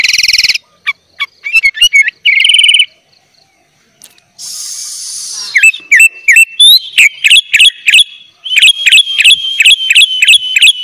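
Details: Sooty-headed bulbul in loud, full song with fill-in phrases, used as a master recording for training young bulbuls; varied high chirps and bright whistled notes, then a fast series of repeated rising whistles.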